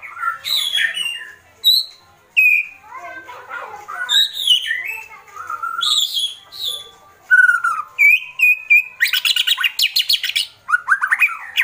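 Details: Agitated white-rumped shama in kretekan mode, mixing rich varied whistles, rising and falling phrases and scratchy notes, ending in a rapid run of dry, rattling bursts.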